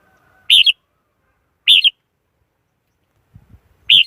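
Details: Decoy Red-whiskered Bulbul song used as a lure for trapping wild birds: three short, bright warbled phrases roughly a second apart, with a few faint low knocks near the end.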